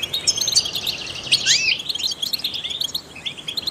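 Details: Trained European goldfinch giving a short burst of liquid twittering song with a buzzy rattle and an upward-swept slurred whistle, followed by lighter chirps; used to stimulate other songbirds.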